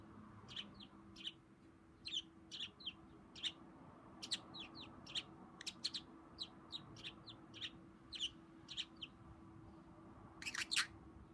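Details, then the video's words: Friendly pet budgerigar standing on one leg as if talking to its owner: a long, lively sequence of brisk, high chirps in pairs and short clusters, ending in a louder rough burst, with a faint steady hum underneath. "セキセイインコ 片足を上げて話しかけてくる？"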